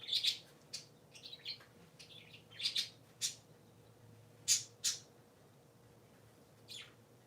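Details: Three pet parakeets indoors on a Sunday morning give sharp, high chirps in scattered short bursts, some clustered in quick pairs, with gaps of quiet between and a faint steady low hum underneath.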